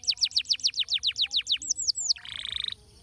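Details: Canary singing to prompt others to sing: a rapid series of about fourteen sharp falling whistles, then three looping notes, then a low buzzy roll, with a faint background hum.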